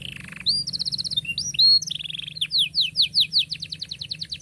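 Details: Canary in full song for young birds to learn from: a short buzzy roll, rolled whistled trills and looping notes, then a steady string of about a dozen loud descending chips.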